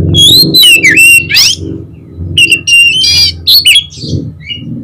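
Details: Rival-provoking song of an oriental magpie-robin (kacer): bright whistled notes, rising and falling slurs and scratchy buzzy bursts in fast succession, over a steady low hum, trailing off into softer chirps.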